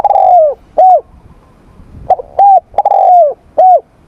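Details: Spotted dove cooing in morning voice training: loud mellow coos near 700–800, short rounded notes and a longer falling coo, about five phrases in four seconds.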